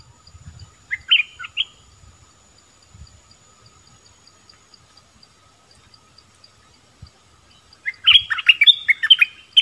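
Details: Brief bulbul phrase of a few falling chirps, a long quiet stretch with faint low knocks, then a loud tumbling burst of rich warbled notes at the end.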